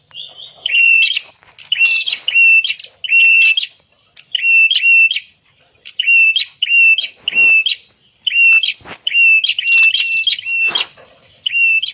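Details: Master song of a red-headed prinia, meant to coax silent birds into singing: a long run of sharp, ringing, slightly buzzy phrases on one high pitch, repeated almost continuously, with a few harsher flicks between them.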